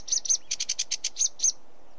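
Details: Sedge warbler giving a short burst of about ten scratchy chirps. The chirps are grouped unevenly and some carry a sharp, high tip. A quiet background follows.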